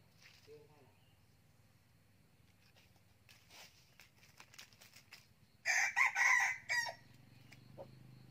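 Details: Young male red junglefowl kept as a decoy bird and described as crowing often, recorded in 2019. Faint clucks lead into one harsh crow of three linked segments, about one second long, followed by low background hum.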